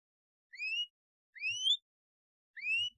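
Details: A canary gives three clear, rising whistled chirps, each under half a second and about a second apart, with faint low thumps behind; the chirps are meant as a lure to get young canaries singing.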